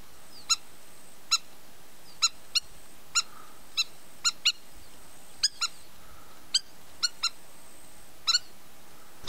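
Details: A Spur-winged lapwing (Spur-winged Plover) at the Evros Delta, Greece, gives sharp, metallic ticking notes at irregular intervals, sometimes in quick pairs, over a steady background hiss.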